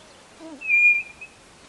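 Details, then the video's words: A White-bellied nothura from northeastern Brazil, used as a lure call, gives one clear, high, level whistle of about half a second, preceded by faint lower notes, against a quiet background. "CANTO da CODORNA do NORDESTE"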